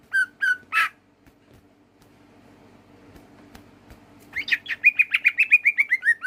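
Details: Greater green leafbird in captivity singing short whistled notes, then after a pause a rapid series of about fifteen sharp, evenly spaced chirps, gradually descending in pitch, over a faint low background hum.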